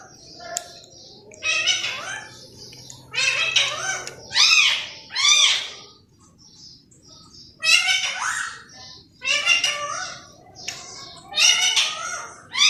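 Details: Pet green parrot chattering like a person: a long run of hoarse, word-like syllables, many arching up and down in pitch, grouped in clusters separated by short quiet gaps.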